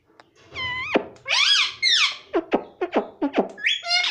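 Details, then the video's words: Baby pet rose-ringed parakeet imitating speech such as mummy: a falling harmonic squeal, a long raspy phrase, then a run of short dropping syllables repeated about twice a second, ending in a wavering screech. "mummy bolne wala tota || parrot talking || baby parrot talking"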